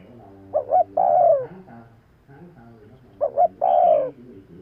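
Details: Spotted dove giving its lure call twice: a pair of short coos leading into a long, smoothly falling coo, with a pause between phrases.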